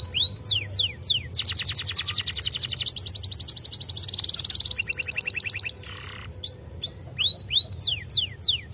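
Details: Canary song meant to prompt other canaries to answer: a few sharp downward-sweeping whistles, then a long, fast, buzzy rolling trill shifting into a second rapid trill, a short gap, and more hooked descending whistles, over a faint low hum.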